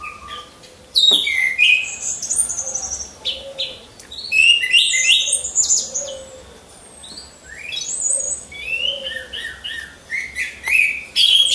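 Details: Orange-headed thrush kept in a hanging cage, one of several hung in a row, trained as a lure bird: loud, varied, rapid phrases of sweet whistles, slurred notes and sharp chirps, with a low steady hum underneath.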